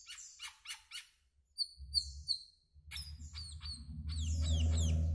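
Asian glossy starling giving sharp, high, metallic chips and thin down-slurred whistles in quick bursts, over a low rumbling background that swells toward the end.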